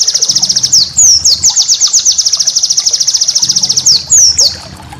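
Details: Master white-eye song for training cage birds: long rapid stutter of identical high chirps broken by a few longer downslurred whistles, faint low rumble behind.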